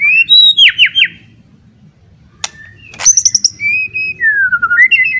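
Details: White-rumped shama, a loud song meant to provoke other shamas into fighting mood: clear whistled phrases, rapid descending slurs, a sharp click, then long sliding whistles rising at the end, over a low background hum.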